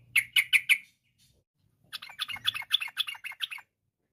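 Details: Sooty-headed bulbul singing in 'gacor' style to call others to join: three loud, harsh chirps, a gap of about a second, then a row of about ten quick notes.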